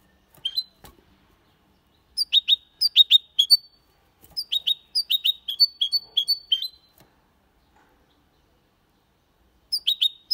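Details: Goldfinch × canary hybrid singing clean Malaga-style song, 2022: three bursts of sharp, bright, high chirped notes, quick runs of repeated syllables separated by short silences, with a last phrase beginning at the end.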